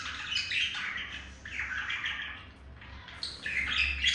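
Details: Pet male budgerigar courting a female: continuous rapid chirping warble of buzzy notes sliding up and down, with quick twittering bursts at the start and end over a faint low hum.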